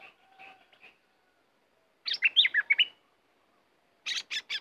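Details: Red-whiskered bulbul, a fierce caged bird used as a decoy to lure wild birds, sings two bursts of bright warbled, slurred notes, then a run of short buzzy notes after a pause, with faint soft chirps at the start.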